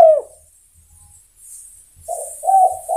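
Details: Spotted dove calling companions: one falling coo opens, then after silence a set of soft, low, rolling coos runs to the end.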